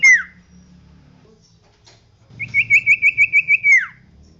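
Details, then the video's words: Common iora singing persistently, used to train caged birds: a short falling whistle, a quiet gap of nearly two seconds, then a quick trill of about nine whistled notes ending in a downward slur. "MASTERAN SUARA CIPO GACOR NGOTOT"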